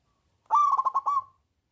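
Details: Local zebra dove with a big voice, used as a lure to get reluctant doves singing: one rolling cooing phrase, a short opening note and then about five rapid throaty pulses, lasting under a second in a quiet setting.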